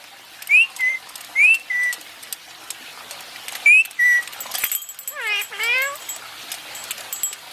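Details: Basking pet Indian ringneck parakeet: short rising whistles, each followed by a flat whistled note, repeated three times, then a longer harsh call that swoops down and back up.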